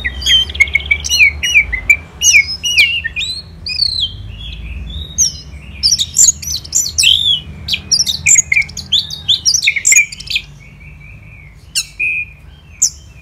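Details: Long sustained performance by an orange-headed thrush in the morning, Kubutambahan, Singaraja, Bali: continuous varied whistling with looping slurs, buzzy trills and sharp chips in rapid succession, pausing briefly near the end.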